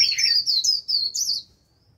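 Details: Japanese white-eye lure bird delivering a quick, high, warbled líu phrase of rapid, sliding notes lasting about one and a half seconds, then falling silent.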